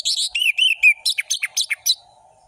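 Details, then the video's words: Orange-headed thrush singing a varied ngeplong-style phrase. Clear slurred whistles are followed by a fast run of sharp chirps and down-slurred notes. A faint low hum runs underneath. "Anis merah gacor ngeplong full variasi"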